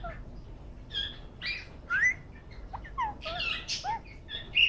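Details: Pet green ringneck parakeet making soft sounds while enjoying a head massage: a scattered series of short whistled chirps and squeaky notes, some rising, some falling, in a quiet room.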